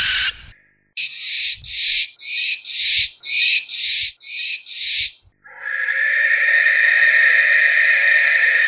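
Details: Barn owl uttering a quick run of about eight short hissing bursts, roughly two per second, then a sustained harsh, noisy tone filling the rest of the recording.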